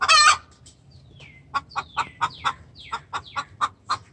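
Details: Hen's distress call to the rooster: a loud squawk, then a long series of rhythmic clucks mixed with high, thin, downward-sliding chirps.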